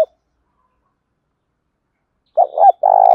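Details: Spotted dove coo for prompting captive doves to call. A long silence is followed by a single phrase near the end: two clipped low notes and a steady vibrating coo.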